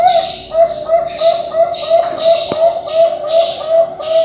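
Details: Competition-quality zebra dove, a ring-banded farm-bred bird, gives a soft, mellow cooing song of repeated low rounded notes about three times a second, steady and rhythmic, with a faint click midway.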